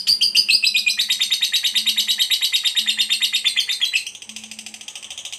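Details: Long ngekek chatter of a fighter-type lovebird, intended to set other lovebirds off: a rapid, buzzy pulsed trill that runs loud for four seconds, then continues more quietly, with a faint low hum.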